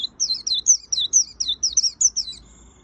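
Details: Energetic white-eye song: quick high twittering notes, each a short falling or wavering whistle, strung together in a steady burst lasting under three seconds. The background is otherwise quiet.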